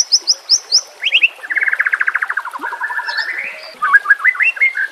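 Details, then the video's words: White-rumped shama singing 'nembak kasar' masteran for training murai batu: short high piping notes, then a fast rolling trill of rapid repeated notes. Smooth falling glides and quick chirps close the phrase. "masteran nembak kasar cocok untuk murai batu Kacer dan cucak ijo Murai Batu"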